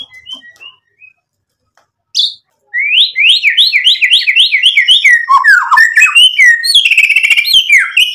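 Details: Lure song of a murai batu (white-rumped shama) meant to make other birds respond: a few soft notes, then a rapid string of rising whistled notes followed by varied dropping and buzzy phrases.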